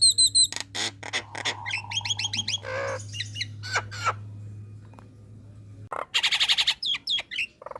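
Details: A female Nias hill myna calling to males gives loud, varied calls: harsh squawks, sharp whistles and clipped chatter in quick bursts, over a low steady electrical hum.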